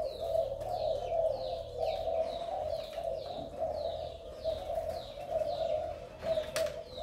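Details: Spotted dove, a vigorous Malaysian male with an attractive neck collar. Soft low cooing continues in gentle pulses under a regular series of high, sliding chirps, roughly one per second, with a brief click near the end.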